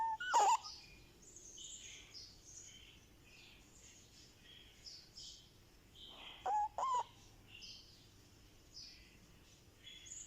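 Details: A baby ringneck (rose-ringed) parakeet makes happy sounds: three loud, harsh, squawky calls, one at the start and a quick pair near the end, with faint chirping from other birds behind.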